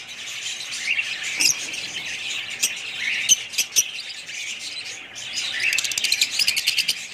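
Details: Busy budgerigar chatter: overlapping high, scratchy warbles, with a few sharp clicks in the middle and a fast, rattling burst of ticking notes in the last two seconds.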